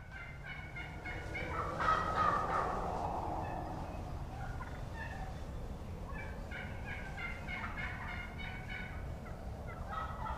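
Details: Wild juvenile gobblers (jakes) yelping on the ground beneath a young hen perched on a roost limb, recorded 30 March 2017; series of raspy, evenly spaced yelps, louder burst near two seconds, other hens yelping faintly in background.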